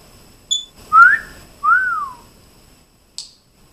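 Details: Indoor pet African grey parrot whistling: two smooth whistled phrases, the first rising and the second rising then falling, with a short click before and after.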